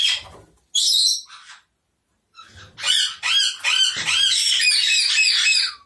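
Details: Blue-fronted amazon giving loud, grating squawks: a brief harsh burst, a pause of about a second, then a dense stream of rasping, chattering calls of varied pitch lasting several seconds.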